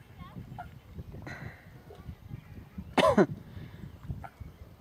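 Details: Eurasian coot giving one loud, harsh, explosive call near the end, preceded by a few faint short notes over low background noise.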